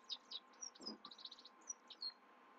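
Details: Himalayan goldfinch singing at night, a fast run of thin, high, clipped chirps and brief whistled slurs scattered through the clip over a low background hum.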